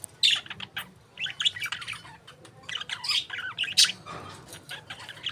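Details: A group of pet parakeets, budgerigars, chatter almost without pause, an overlapping stream of quick twittering chirps and scratchy warbles, some notes rising sharply.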